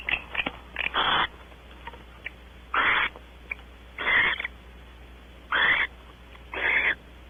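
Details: Wild barn owls mating on a porch at Audubon Starr Ranch, California, female trying to keep the male before both leave; harsh hissing screeches, five main bursts, each under half a second, plus shorter faint rasps between.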